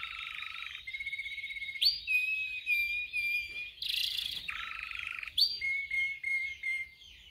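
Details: Canary singing in a training recording: alternating tours of buzzing rolls and long, clear whistled notes, broken by a short harsh burst and then more level whistles.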